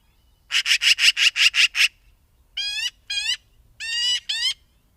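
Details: Magpie giving a harsh, rattling chatter of seven rapid dry notes, then two and two more nasal, harmonic squawks with a rising-falling shape, on a quiet background.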